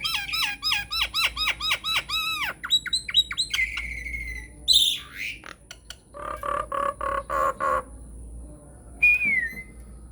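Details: Lure song of a Nias hill myna, meant to make silent mynas respond: rapid series of looping, bent whistles, a long level whistle, a sharp squeal, harsh nasal bursts, then one descending whistle.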